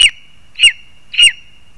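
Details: Three loud, piercing yelps from a Lesser spotted eagle in spruce, Zemgale, Latvia, as a frog is brought for the young. The notes come about half a second apart, each bright and slightly falling, with a faint steady whine between them.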